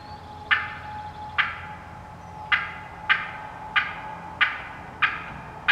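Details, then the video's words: Wild turkey hens cutting and yelping, with no hunter calling, give sharp, loud clucks about every second in an uneven cutting series over a faint steady high whine, while one hen comes in strutting. "Wild Turkey Hens Cutting Yelping and Calling"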